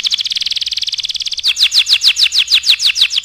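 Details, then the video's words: A canary's tutoring song, starting with a very rapid even trill that shifts into slower pulsed rolling notes repeated about five times a second. "SUARA KENARI GACOR AMPUH UNTUK MASTERAN"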